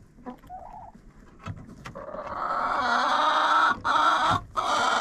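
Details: Coop chickens recorded by a GoPro placed inside: a couple of short clucks and a high note, then a long, loud, buzzy harmonic crow that grows steadily over three seconds with short breaks near the end.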